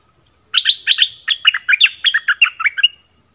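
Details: Bulbul kept as a decoy bird, southern Thai type, known locally as merbah lekir: a run of about a dozen quick chirpy notes, some doubled, with bubbly up-and-down inflections, delivered over two and a half seconds.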